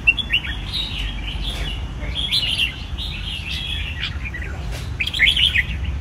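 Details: Caged red-whiskered bulbul sings a near-continuous run of bubbly whistled notes, ending in a louder, sharper flourish, with occasional clicks and a steady low rumble in the background.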